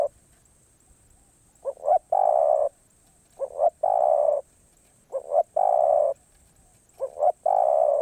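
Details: Spotted dove singing in the karom pa roi song style: four phrases, each two short rising coos then one long, steady, low hoarse coo, repeated roughly every two seconds over a faint constant high whine.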